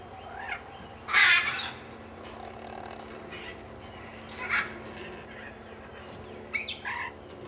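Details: A parent-rearing blue-headed macaw in a nestbox gives a loud, harsh squawk, then softer rasping calls about three and six seconds later, over a low steady hum.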